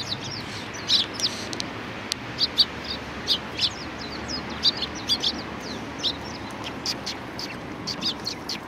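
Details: Flock of Eurasian tree sparrows at food at a Tenmangu shrine on 19 April 2019; many quieter high chirps and thin slurred notes spread steadily through the recording, some from more distant birds, over a faint low background.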